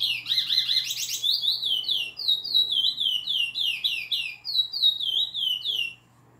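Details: Chestnut-bellied seed finch in nordestino song style, opening with a harsh, buzzy rapid burst, then a long steady run of clear, downward-slurred whistles repeated about three or four per second, ending abruptly.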